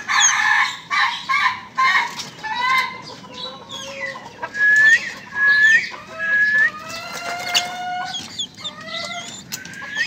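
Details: A young ayam ketawa, the Indonesian laughing chicken breed, crowing: a rapid, uneven run of harmonic, clucking notes gives way to longer rising tonal notes, with thin high chirps overlapping throughout.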